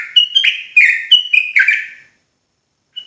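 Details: Sooty-headed bulbul, called trucuk jawa, in a brief burst of song used to agitate other bulbuls. Five or six quick, slurred whistles run together over two seconds, then silence, ending with one faint high note.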